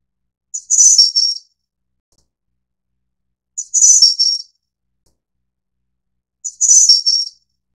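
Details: Snowy-browed Flycatcher, subspecies innexa endemic to Taiwan. Three high-pitched, thin, jingling phrases, each a quick cluster of sharp notes ending slightly lower, spaced about three seconds apart, with no other sounds.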